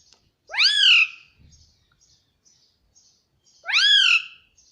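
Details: Two loud, harmonic, arching utterances from a pet Indian ringneck parrot saying "mummy" nonstop, about three seconds apart, with a soft low thump and faint chirps between them.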